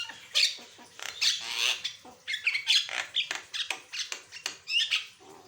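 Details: Asian pied starling in full, varied song, used to train other birds: loud harsh squawks alternate with chattering rasps and squeaky notes in quick succession.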